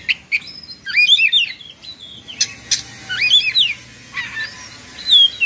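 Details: Oriental magpie-robin in Indonesia, excited with tail spread and plumage fluffed, gives loud looping whistled phrases with sharp clicks between, repeated in bursts roughly every second.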